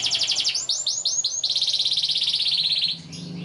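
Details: Canary singing a long, lively song used as a tutor recording for young canaries learning to sing: fast buzzy high trills, then a run of four rising upswept notes, then a long rapid rattling trill that drops away near the end.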